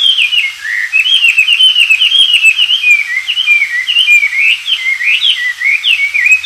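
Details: Oriental magpie-robin singing freely in the wild, a recording meant to train white-rumped shamas: continuous fast chattering whistles with short rising and falling notes strung together without pause.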